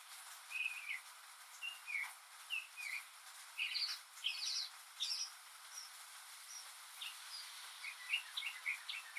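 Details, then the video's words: A lone Northern Mockingbird singing on a rainy day, mimicking other birds and sounds, gives varied high chirps and whistled phrases, some doubled, shifting style every second or so over a steady soft hiss. "マネシツグミの「雨に唄えば」Mockingbird's "Singin' in the Rain"!"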